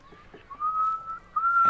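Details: Eurasian curlew in the Netherlands, cold early spring, giving its yodelling call: two pure, drawn-out whistles, each rising slowly in pitch, the second cut off short; faint wind or handling noise underneath.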